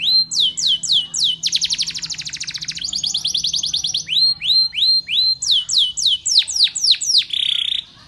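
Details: Loud Spanish Timbrado canary training song: repeated rising-then-falling whistled notes, two bursts of rapid rattling trill, then a steady series of downward sweeps about three per second, ending in a buzz.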